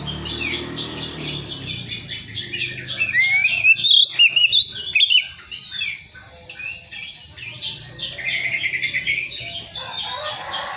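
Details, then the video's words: Young Oriental magpie-robin of the Priangan type from West Java, practising its song: soft scratchy twittering that builds into a burst of loud rising whistles around the middle, then fades back to quieter chatter. "KACER PRIANGAN BAHAN BELAJAR NGEMPLONG"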